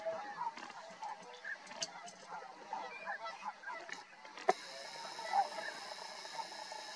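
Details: Tundra swan flock at Drumheller, Alberta, Canada, giving a murmuring mass of overlapping honks; about halfway through, a steady broadband hiss sets in over the calling.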